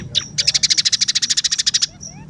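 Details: Scaly-breasted munia singing in a lively, chattering style: a short buzzy note, then a fast, even series of about twenty sharp, high chips, followed by faint thin whistles.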